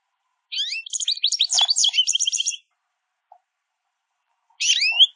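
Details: Small group of American goldfinches at a backyard mesh feeder, calling while eating; a two-second burst of dense, jumbled high twitters and rapid chatter, then silence and a short closing twitter.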